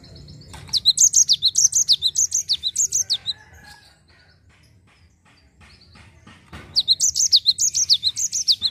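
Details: Rolling 'ngerol' song of a Java sparrow, meant to draw other birds into song: a long run of rapid, high, falling chips, a pause with faint clicks, then another fast run of the same notes.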